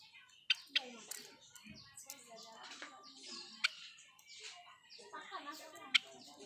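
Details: A pet Java sparrow (Padda oryzivora) gives a busy, high twittering song with sharp bell-like clicks every second or two, over a murmur of soft chatter.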